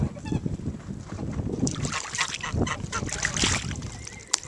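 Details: A gaggle of rare heritage Cotton Patch geese taking a bath at a ranch, giving busy overlapping nasal honks amid constant splashing and sloshing water.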